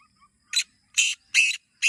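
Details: Black francolin (kala teetar), a kept bird, uttering four loud rasping, buzzy notes that lengthen toward the middle of the series. Faint chirps sound in the background.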